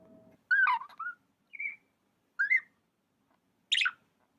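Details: Budgerigar kept as a pet making warbled chirps: a wavering two-part note, a short steady whistle, a rising chirp, then a high sharp squeak, with a brief low rumble at the start.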